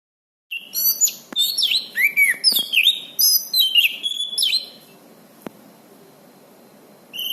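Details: Orange-banded thrush (anis cendana) singing actively, recorded as master material for training birds: a rapid run of varied whistled and chattering phrases sweeping up and down, dense for about four seconds, then quiet with one sharp click before a new phrase begins.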